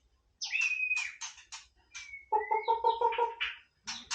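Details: White-rumped shama singing casually: long clear whistles gliding slowly upward, a row of five rapid lower doubled notes, then sharp bursts of high chips in a varied, musical phrase.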